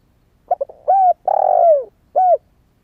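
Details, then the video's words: Recently started young spotted dove, used for luring wild doves. Two brief soft notes precede a clear coo, a long rolling coo that slides down, and a short final coo, all in one phrase. "Tiếng chim cu gáy mới nổi kích mồi hiệu quả"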